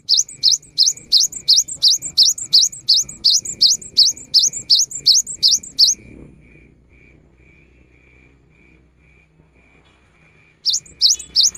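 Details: In the rainy season, a cinereous tit sings as a lure: a long run of about twenty rapid, evenly spaced high piercing notes lasting six seconds, a silence, then three more sharp notes at the end.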